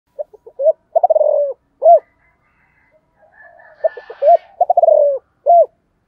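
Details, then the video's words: Spotted dove of the 'thổ' voice style cooing in the morning to call wild doves: short soft notes, a rapid stuttering roll sliding downward, then a round closing coo, heard twice, with faint chirps of other birds between. "cu gay giong tho cuc dinh gáy gọi bổi buổi sáng"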